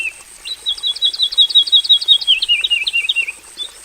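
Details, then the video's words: In a simple aviary, a Javan bush lark delivers a fast trill of clipped, stepped notes that slides gradually downward, then breaks into looser chirps; part of its 'full isian' singing, with a faint high background tone. "KICAU SUARA BURUNG BRANJANGAN JAVANICA GACOR FULL ISIAN"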